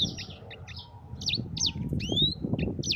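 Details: Yellow-fronted canary, recorded as a training song for other birds: scattered high chips and sharp V-shaped whistles, with one long rising slur, over a continuous low background rumble.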